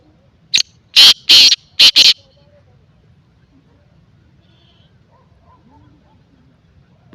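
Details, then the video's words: A single ringing black francolin phrase of five grating notes, short, long, long, then a fast double, followed by several seconds of quiet with a faint low hum. "کالا تیتر کی آواز"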